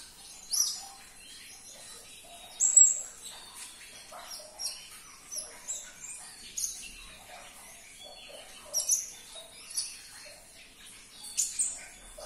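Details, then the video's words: High, thin sunbird chirps used to coax a silent caged sunbird to answer: scattered sharp notes and quick twitters spaced a second or two apart. "Putarkan 1 menit saja video ini KONIN anda pasti langsung nyaut"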